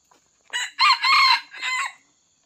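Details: A wild red junglefowl, targeted while trapping with a decoy, crows: a short lead-in note, a loud, harsh drawn-out middle, then a clipped final phrase, over a thin, steady high whine.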